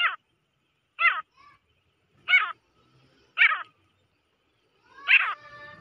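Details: Female grey francolin calling: harsh, rasping descending notes repeated about once a second, five in a row with silence between.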